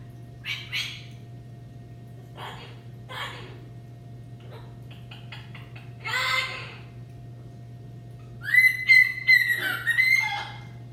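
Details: A pair of captive macaws indoors, giving scattered short harsh notes at first, then a loud run of shrill, clipped, repeated calls near the end, over a faint background hum.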